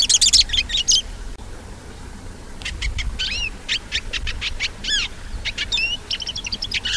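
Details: Hooded siskin singing: a brief high twittering burst, a pause, then a lively run of sharp clicks, buzzy notes and slurred whistles, some dropping, ending in rapid chattering trills, with low rumbling noise underneath.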